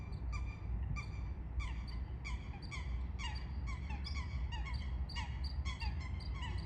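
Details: Eurasian coots during a fight: quick, nasal, slightly downslurred notes in a busy chattering series, several per second, with a persistent low rumble beneath.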